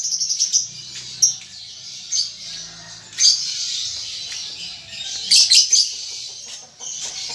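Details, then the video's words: Lovebird baby learning to chatter in ngetik and ngekek style, with a rapid ticking series of high clicks at the start, then sporadic shrill squeaks and a brief twittering flurry later on. "Lovebird Paud Baby Balibu Muda Belajar Ngetik Ngekek"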